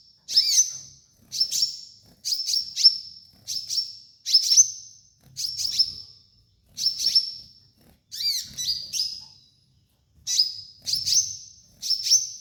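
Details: Kolibri ninja sunbird song used as a training master: a steady series of high, sharp notes, each a quick clicking burst that slides into a thin, level whistle, repeated about once a second.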